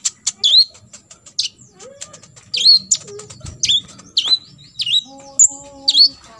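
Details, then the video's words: Olive-backed sunbird (kolibri ninja) 'tembakan isian' song used to teach other sunbirds: piercing high hooked notes in quick succession among dry ticks, with faint lower tonal sounds toward the end. "KOLIBRI NINJA (KONIN) FULL TEMBAKAN ISIAN"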